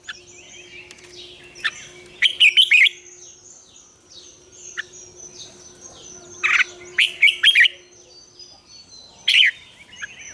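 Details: Red-whiskered bulbul sings its wild double-note morning song, kept as a lure for training birds: several short bursts of bright, choppy warbling a few seconds apart. Soft twittering and a steady low hum run beneath.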